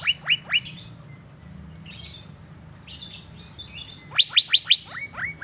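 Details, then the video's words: Asian fairy-bluebird singing while sunbathed in Banjarmasin, Indonesia: a short run of three quick falling notes, a pause filled with soft twitters, then a longer fast series of bright descending notes. "Burung Cucak Biru Gacor saat dijemur, Banjarmasin"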